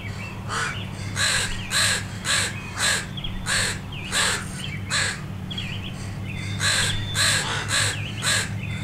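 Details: A mob of crows rallies against a dog close to two fledglings learning to fly, attacking only from the air; rapid rough caws repeat nearly twice a second with overlapping callers and a constant low drone behind.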